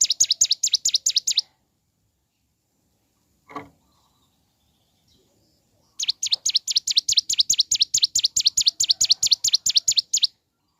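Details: Mountain leaf warbler in energetic morning song, played to prompt others to sing; rapid strings of piercing, high, V-shaped notes repeated over two times a second, broken by a long silence and one soft thud.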